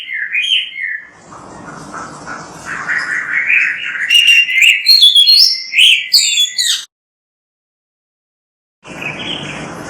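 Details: Oriental magpie-robin (kacer), a mimic of other birds, with whistled notes, then a long rising warble turning into busy high chirps and trills, a two-second silence, and faint hiss returning.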